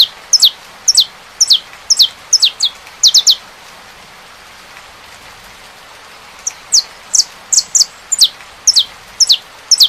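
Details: Rain falls steadily while a saffron finch sings two bursts of rapid, high, downward-slurred chips separated by a pause of about two seconds.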